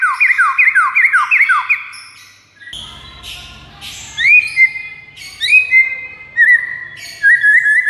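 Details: White-rumped shama master song played to attract rival shamas: a fast series of falling whistled notes, a brief noisy burst, then clear looping whistles in short phrases.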